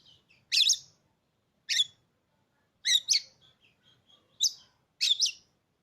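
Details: Oriental magpie-robin, a newly acquired caged bird that had not sung for its previous owner, gives loud harsh rasping notes at uneven intervals of about a second, with very faint thin whistles between them.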